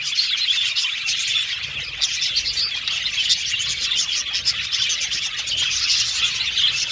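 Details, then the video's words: Budgerigars chirping, presented as sound for lonely pet budgies: dense, continuous high twittering and warbling chatter with rapid overlapping chirps throughout, no pauses, steady loudness from start to end. "Happy Budgies Chirping Sound | Budgies Sound For Lonely Budgies Birds"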